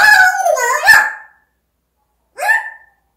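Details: Talking African grey parrot gives a long, gliding, voice-like phrase, then a single short rising syllable after a pause.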